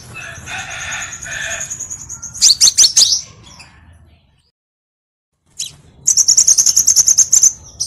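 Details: Crimson sunbird lure song for training birds: a long high buzzy trill, a burst of sharp clicking notes, about a second of silence, then another fast steady trill.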